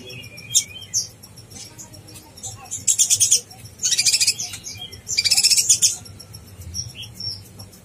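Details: Konin blorok, a sunbird in bird-contest training (masteran), in lively singing: short, very high, bright chirps and twittering trills in bursts of about half a second, with faint background hum between bursts.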